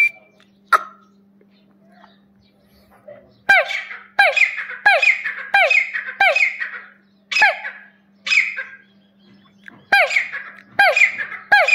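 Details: Desi teetar, the grey partridge, calling after a quiet start with a few clicks: a long run of grating, squeaky, ringing phrases, each with a dipping, bent note, repeated roughly every 0.7 seconds over a low electrical hum.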